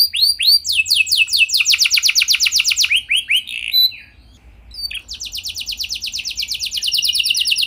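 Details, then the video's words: Gacor canary song used as a lure so other canaries start singing. It opens with a few swooping notes and moves into a rapid, rolling high trill. After a brief near-silent pause, another quick trill follows. "Pancingan Ampuh Banyak Burung Kenari Cepat Bunyi Gacor Dengan Suara Kenari Gacor Lagu Unik Ini!"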